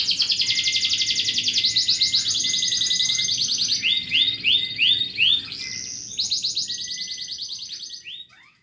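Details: Masteran canary recording for training other canaries: long rapid trills changing speed and tone, a short run of distinct upswept chirps midway, then more pulsed trilling fading out at the close.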